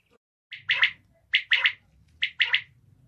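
A female common quail gives three quick bursts of two or three harsh, buzzy, high notes, about a second apart, over a faint low hum.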